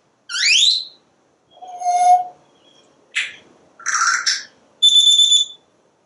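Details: Talking pet parrot on a screened back porch, watching squirrels and birds; a rising whistle, then a lower mumbled word, a sharp click, a harsh voiced sound and a level whistled note.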